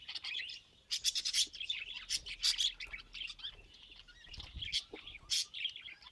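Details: Happy budgerigar song from pet birds, a continuous high chatter of quick chirps, clicks and scratchy warbled phrases, with loud bursts near the start and the end and softer twittering between them.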